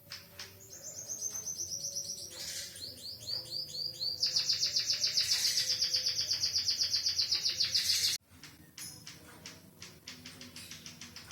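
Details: White-headed munia tutored with canary song, singing steadily: fast high trills that build into a loud, buzzy, even-paced rolling trill lasting several seconds, then stop abruptly, leaving soft ticking notes.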